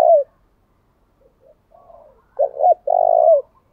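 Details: Decoy spotted dove singing the driving 'thúc' style to lure wild doves: a brief note, soft murmured coos, then two quick hoots and a long low wavering coo.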